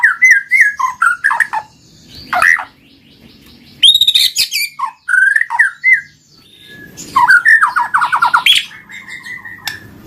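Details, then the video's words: White-rumped shama song meant to coax reluctant shamas into full song: varied bursts of whistles, chattering notes and rapid trills, separated by short quiet gaps, with a sweet steady whistle near the end. "Pancinggan Murai Batu Jadi Gacor Ngeplong, Murai Malas Bunyi Langsung Respon Gacor"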